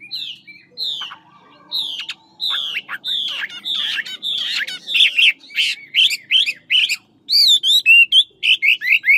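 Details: Chinese hwamei, ngũ trường type, from Lạng Sơn, singing a fighting song: a steady row of descending whistled phrases about every half second, speeding into a fast run of bright slurred and looping notes.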